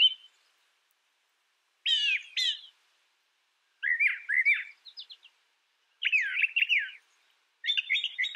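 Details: Brown thrasher delivering separate song phrases about every two seconds, many of them doubled pairs of quick slurred, buzzy notes. Each phrase has a different pattern.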